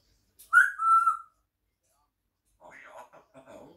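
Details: Pet African grey parrot indoors, looking out the window while eating grapes and chatting. A loud clear whistle bends down and holds, then after a pause comes soft, mumbled speech-like chatter.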